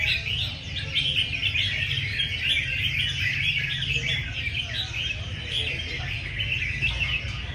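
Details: A group of red-whiskered bulbuls competing in song at a busy session: bright, jumbled whistles and chirps pour out nonstop from several birds at once, low crowd and traffic-like rumble underneath.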